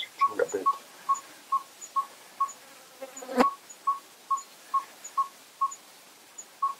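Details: ['Yellow-rumped tinkerbird, a small African barbet, calling a fairly deep, hollow single tone repeated steadily about every half second, roughly fourteen notes in a row, with one brief knock partway through.']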